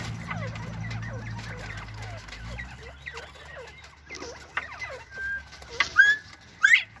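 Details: Northern bobwhite quail chattering: a run of soft, quick, downward-sliding notes repeated about every half second, ending in two louder rising whistled notes near the close.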